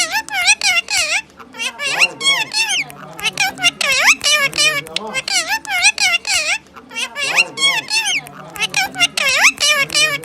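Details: A pet Rose-ringed parakeet (Psittacula krameri) talks in Urdu/Hindi mimicry, chattering quick, high, nasal, speech-like syllables in rapid bursts with short squeaky rises and barely a pause.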